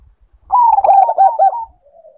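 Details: Zebra dove, Bangkok type, in breeding condition, delivering a single rolling phrase of warm, quavering coos lasting about a second, fading into a low drawn-out note.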